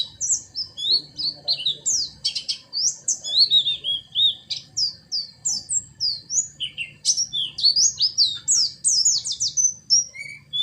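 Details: Oriental white-eye in a very rich 'isian' filled-in song: a dense, unbroken run of high, sweet warbled and slurred notes, quick rising and falling chirps tumbling one after another for the whole stretch, with no other sounds.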